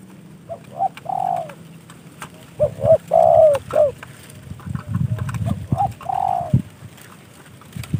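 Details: Spotted dove, a trained hobby bird, giving mellow coo phrases with a long rounded central note, mixed with rustling, clattering handling noise and low rumble.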